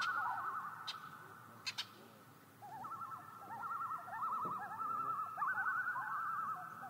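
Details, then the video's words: Distant common loons at night give rapid wavering tremolo calls that overlap in faint, continuous warbling. Two sharp clicks sound early, over a noisy low background. "Relaxing Loon Call At Night, Common Loon Call"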